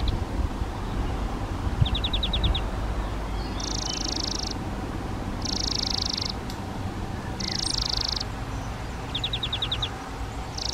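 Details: Half-open nest box on a garden hut wall, where Spotted flycatcher parents bring flying insects to two nestlings; bursts of high rasping hiss alternate with short rapid pulsed notes, repeated every one to two seconds.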